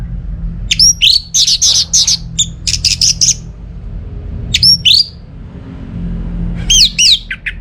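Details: Orange-headed thrush from North Bali, Singaraja, singing loud high whistled phrases: bursts of rapid sharp notes broken by short pauses, with slurred rising whistles near the start and end; low hum underneath.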